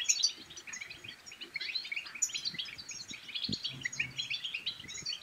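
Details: European goldfinch chattering bitbita song to stimulate singing and mating: quick tinkling twitters with a few sharp high notes near the start and middle, fairly soft, over a hiss of background noise and one low knock.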